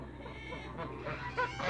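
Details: Four hybrid geese, Canada goose crossed with African goose, meeting other geese at a waterbird farm. Low background rumble, then short harmonic honks rise near the end, two quick nasal calls close together.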